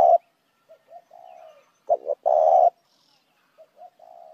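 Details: Spotted dove calling to lure other doves: one loud phrase of two clipped notes and a long rough coo, framed by quieter, smoother sliding coos before and after.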